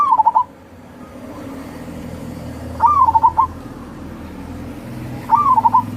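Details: Local zebra dove sounding three soft rolling coo phrases spaced about two and a half seconds apart, over steady low background noise; the song serves to prompt idle doves to sing.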